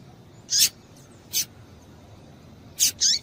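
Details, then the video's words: Female double-collared seedeater calling to excite males: irregular high, scratchy chirps, single notes at first, then a quick pair at the close, against a quiet background. "Piado de Fêmea de Coleiro Para Esquentar Coleiro"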